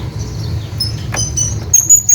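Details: High, thin squeaky notes from a hanging parrot calling a companion, rising in loudness toward the end with a quick run of sharp chips over low rumble.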